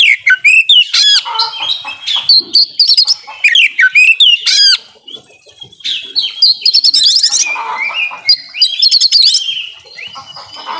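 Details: Oriental magpie-robin delivering full mimicking song, played to prompt lazy birds to sing; bright slurred whistles and fast rattling trills in loud phrases, softer chattering in the middle.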